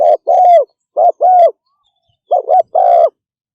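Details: Spotted dove in quick 'thúc gù' cooing, soft low paired notes, a clipped coo and a longer sustained one, given twice, a short gap, then twice more; no other sounds.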